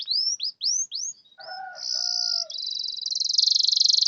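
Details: Singing canary used to trigger a mute or sluggish canary: a few rising-falling whistled sweeps, lower soft notes, then a sustained high buzzy trill growing louder and faster.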